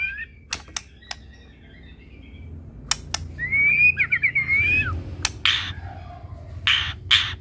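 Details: Active full-isian singing by a Medan white-rumped shama: scattered clicks and faint notes, then a rapid warbling whistled phrase of about a second and a half, then broad noisy bursts.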